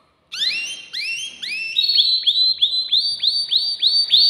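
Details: Caged male canary, worked up and singing to arouse a female for breeding, delivers quick upslurred whistled notes repeated about four times a second in a steady rolling series.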